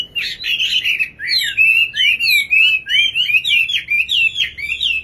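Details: Singing nightingale pours out a dense stream of bright whistled and warbling notes, quick rising and falling slurs repeated almost without pause, loud and clear against a quiet background.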